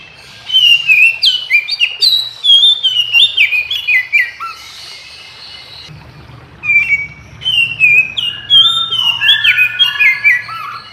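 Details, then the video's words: Oriental magpie-robins singing in the morning, one answering another and joining in loudly; long runs of rich whistled phrases, sweeping up and down, packed tightly with brief pauses, then a second strong burst of varied notes. "Kicau KACER Pagi Hari KACER Lain Denger Langsung Ikut GACOR Nyaut Koar Koar"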